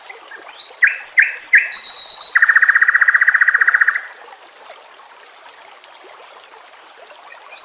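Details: White-rumped shama song meant for training caged birds, over a background of flowing water: three sharp whistled notes, then a long, fast, even buzzing trill lasting about two seconds, followed by quiet.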